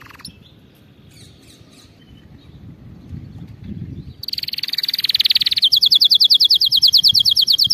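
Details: Canary song for training young canaries: a quiet start with faint notes, then a loud fast high trill from about four seconds, shifting into a sharp, evenly pulsed rattle.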